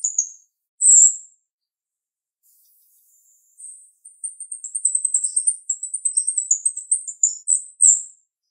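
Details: A female jalak rio-rio starling sings sharply, opening with a few loud isolated high chirps, then breaking into a long fast sequence of piercing, rapidly repeated twittered notes.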